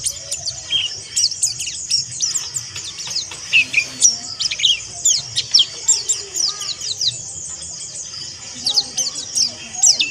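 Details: White-eye in a harsh twittering style, used to stimulate other white-eyes: dense, very high, quick chirps and squeaky sweeps running almost without a break.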